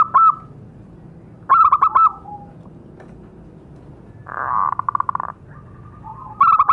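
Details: Zebra dove lure call for captive birds: short bursts of sharp staccato coos spaced a few seconds apart, with a loud buzzing rattle breaking in midway.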